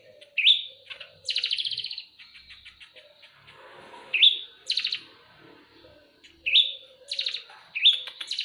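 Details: Eurasian tree sparrows in a fight: sharp rising chirps each followed by a rapid buzzy rattle, in repeated bouts roughly every two seconds.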